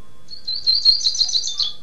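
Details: Double-collared seedeater from Niterói, Rio de Janeiro, singing the tirano song style: a fast, high, twittering phrase of buzzy notes with rapid chips, lasting about a second and a half.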